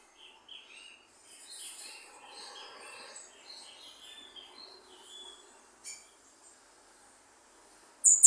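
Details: Goldfinch (jilguero) singing: a lively run of high, twittering notes for about five seconds, then quiet; a sharp click and a loud bump follow at the end.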